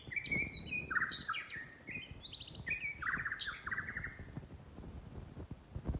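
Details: White-rumped shama singing a quick, varied phrase of chirps, short trills and whistled notes. Steady low rumbling noise runs underneath.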